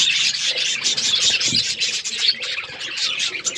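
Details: Budgerigars chirping, a dense continuous chatter of many overlapping short, scratchy chirps and squeaks with no pauses, like a busy flock.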